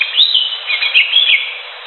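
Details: Brief stretch of greater green leafbird song from the wild: bright, warbling high whistles sliding up and down in quick succession, fading toward the end.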